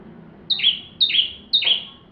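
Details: Bar-winged prinia song for tutoring white-rumped shamas: three loud, high-pitched chirps spaced about half a second apart, each a crisp note sliding downward, above a soft low background rumble.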